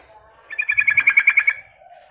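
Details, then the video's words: A sooty-headed bulbul calling to attract birds: one rapid rattling series of about ten clear, evenly spaced notes lasting one second, against near silence. "suara Panggilan Trucukan Gacor ini Bikin Nyaut dan Gacor"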